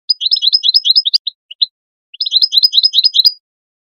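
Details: European goldfinch calling to stimulate goldfinches into song: two rapid, rolling twittering phrases of bright chattering notes, separated by a short gap holding a few single chips.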